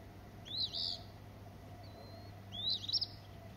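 An Eastern Phoebe gives two raspy, buzzy high phrases about two seconds apart, over a steady low hum.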